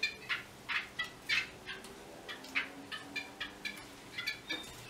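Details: A Yellow-bellied wattle-eye gives loud, grating chatter notes in quick uneven bursts, around three a second, over faint background noise.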